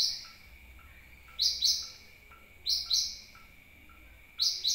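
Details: Lure call of a sunbird, played to draw birds in: three bursts of paired, piercing high chirps that slide downward, separated by quiet gaps, with a constant thin electronic-sounding tone underneath.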